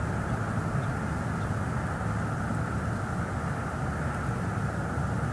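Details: A steady, broad rumble of engine or aircraft noise fills the recording, and no animal calls can be heard.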